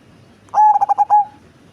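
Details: Single phrase from a large-bodied Cemani zebra dove with a deep, booming voice: a long coo, three quick clipped pulses, then a sustained closing note. The background is quiet.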